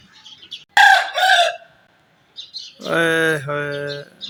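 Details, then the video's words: Aseel rooster crowing in the morning: a loud, hoarse two-part burst, a brief silence, then a longer, drawn-out harmonic crow that steps down slightly in pitch before ending. "Aseel rooster crowing"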